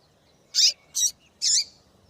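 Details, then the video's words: Female double-collared seedeater calling to stir a male into song: three short, bright, high chip notes in quick succession across about a second, the last one slightly longer with a dropping tail, over a quiet background. "FÊMEA DE PAPA CAPIM PIADEIRA PARA DEIXAR SEU PAPA CAPIM DOIDO PARA CANTAR LOGO!"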